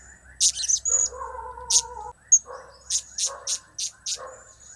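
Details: Blue-crowned hanging parrot giving a mix of cap, kiak and crap calls: short shrill high bursts, some in quick pairs, with lower buzzy tones held for about a second and scattered mid-pitched chirps.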